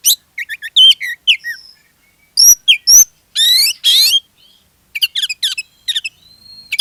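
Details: Lure song of an Oriental magpie-robin to make others sing along: rapid chirps and slurred whistles, a pair of long harsh buzzy notes midway, then clipped high twittering notes near the end.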